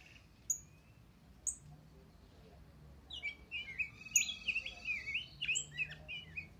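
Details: Rose-breasted grosbeak, a kept bird singing contentedly: two sharp, high, isolated notes, then from the third second a rich, fast warble of rolling, slurred phrases that rise and fall without pause until the end.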